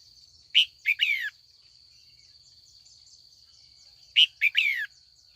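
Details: Afternoon calling by a female red-whiskered bulbul, used to provoke older wild males into competitive song: two matching phrases about three and a half seconds apart, each a sharp note then slurred falling notes, with a constant thin whine behind.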